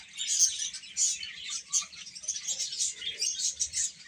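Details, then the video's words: A group of chicks calls constantly. Shrill, rapid peeps rise and fall in loudness over a few seconds. "Cute Chicks Chirping Sounds"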